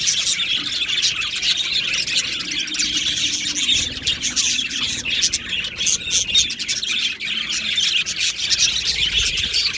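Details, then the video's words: Aviary colony of Australian budgies, 15 July 2025: busy, unbroken twittering from numerous birds, rapid scratchy chirps and high warbled phrases layered together, with a few louder clicks near the end. "Beautiful Budgies Birds Chirping Sounds"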